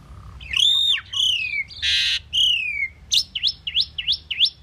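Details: Pied myna singing a varied phrase: harsh rising and falling whistled notes, a broad noisy burst, then a rapid run of five sharp repeated chevron notes at the end.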